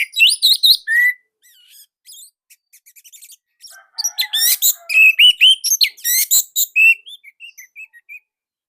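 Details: Orange-headed thrush from Indonesia singing a tight, loud, varied song: rapid high chirps and buzzy trills, slurred whistles near mid pitch, a quieter stretch of short ticking notes, then dense bursts of rising and falling whistled phrases.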